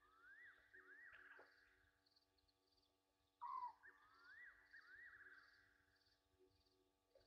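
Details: Egyptian geese at Gowrie dam on Djuma Game Reserve, South Africa, at night on 27 August 2023: wavering drawn-out tones, a pause, then a short loud downward note followed by more wavering calls, with rhythmic night insects and a steady low hum.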